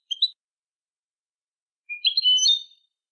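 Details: European goldfinch song on a recording made for training young goldfinches to sing: a short two-note chirp, then after a pause a longer tinkling burst of high twittering notes, clean background.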